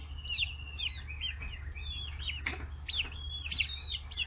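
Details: Chicks aged 40 days, kept free-range in Kitahiroshima, Japan, gather at fish heads. They give thin, downslurred peeps in quick succession, and a sharp clatter is heard midway.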